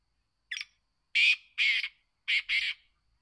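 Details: Black francolin calling: a short chip followed by two pairs of loud, harsh, grating notes, each pair run close together.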